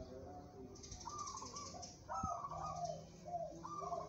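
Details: A local zebra dove bred for song contests coos in quick rolling pulses. Higher and lower trilled notes alternate over about four seconds, with one sharp click and a faint low tone.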